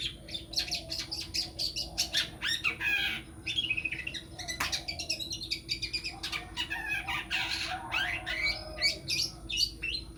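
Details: A long-tailed shrike being groomed as a contest champion sings a dense, fast medley of rasping chatters, clicks, squeaky whistles and mewing notes, almost without pause, over a constant low electrical hum.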